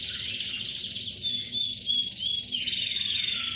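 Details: Canaries in chorus, singing loud sustained high trills and whistled glides that blend into one bright ringing stream, with a faint low hum.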